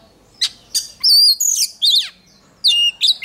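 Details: Oriental magpie-robin in song-contest training, strong fiery voice: loud varied phrases of clear whistles, rapid sweeping notes and harsh buzzy bursts, delivered in short separated bursts.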